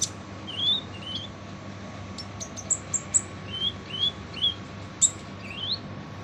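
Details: Sunbird known locally as kolibri ninja, singing harshly as a tutor for other songbirds; brief rising whistled slurs alternate with sharp high ticks and one loud piercing note, over a steady faint hum.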